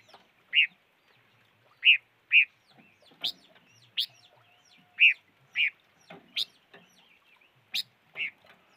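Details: Short sharp chip notes from a five-coloured bird repeat roughly every second or less, some higher and more piercing than others, over a soft background murmur.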